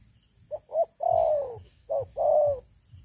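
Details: Spotted dove used as a caged lure for catching wild doves, calling two short coos then a long descending mellow note, followed by another short coo and a long falling coo.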